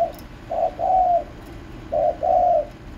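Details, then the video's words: Spotted dove cooing: two low, hollow phrases, each a short coo followed by a longer, smoother note, about one and a half seconds apart, over quiet background hiss. "chim cu gáy gù | chim cu cườm gáy"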